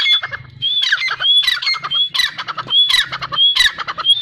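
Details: Teetar, the grey francolin, calling in a fast run of grating squawks, each burst led by a clear rising whistle, repeated roughly every half second over a low background hum.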